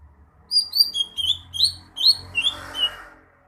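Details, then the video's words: Greater green leafbird song: a lively series of short, high, downslurred chirps and whistles in quick bursts, a bright note roughly every half second, with a faint low hum underneath. "Kicauan burung cucak hijau"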